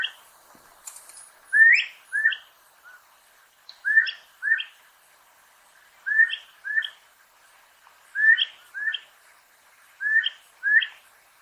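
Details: Elegant crested tinamou calling: clear, rising whistled notes delivered in close pairs, each pair repeated roughly every two seconds over a quiet background, with a few faint high chirps near the start.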